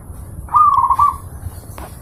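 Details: Zebra dove singing, a master recording for training pet birds: one clear cooing phrase, a rising opening note followed by a quick series of soft rolling coos, then quiet.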